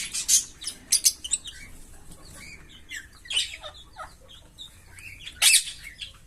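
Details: A green Fischer's lovebird pair chirping: sharp, high-pitched chirps and short scratchy notes in uneven bursts, with louder clusters near the start and near the end.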